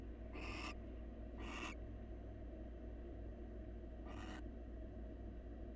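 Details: Wild barn owl in a nest box, male grooming his mate and offering a meal; three short broadband hissing screeches, the last after a longer pause, over steady low background hum.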